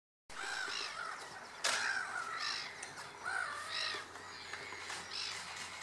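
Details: Black-winged stilt at Slimbridge WWT, Gloucestershire, 23 April 2017, giving harsh, nasal yelping calls repeated roughly once a second over a faint steady background hum.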